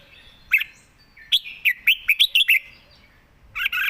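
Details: Red-whiskered bulbul, standing and singing calmly in a well-phrased, quick style, gives a fast string of about seven sharp whistled notes, then a short break and a rougher burst at the end.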